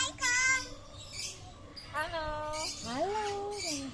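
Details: Talking common hill myna imitating human speech: three voice-like harmonic phrases, the first short and level, the middle one wavering, the last rising then gliding down, with quieter breathy sounds between.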